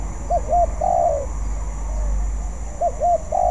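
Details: Spotted dove, a bird still learning and practising its song, cooing two phrases; each has two short arched coos followed by a longer, drawn-out low coo, with a steady faint high hum behind.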